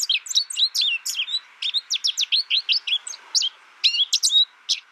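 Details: American Goldfinch singing a quick, varied run of high twittering and slurred chirps, notes packed a fraction of a second apart, with a brief pause near the middle before the twitter resumes.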